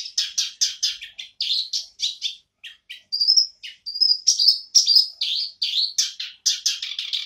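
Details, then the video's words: Black-browed reed warbler back in song: a continuous stream of rapid, harsh chirps and churring notes, broken midway by a few pure, drawn-out whistles before the grating chatter resumes. "Kerak Basi (KerBas) Alis Item"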